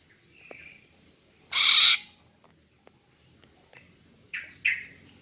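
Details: One loud harsh rasping note from a female greater green leafbird luring males, with faint soft whistles before it and a few short chirps afterwards.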